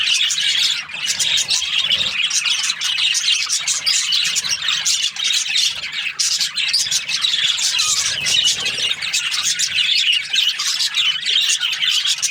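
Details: Morning chorus of several budgies: continuous shrill chattering with sharp squeaks and warbling twitters layered over one another for the whole stretch.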